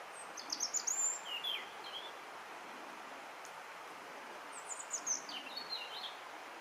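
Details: European robin song in natural surroundings. Two bursts of high, thin, rapidly varied notes with trills and glides are separated by a quiet gap of about three seconds, over a constant low background hiss.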